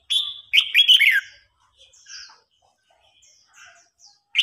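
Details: Red-whiskered bulbul singing in a contest where an old wild-caught bird challenges a young one: one loud, liquid, rolling phrase, then scattered faint high chirps.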